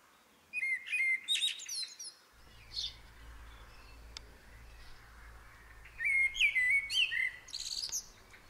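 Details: Eurasian blue tits at a nest inside a hand-made ceramic head, being fed: bursts of thin, high chirping and wavering squeaky calls in two clusters, quieter hiss and low hum between.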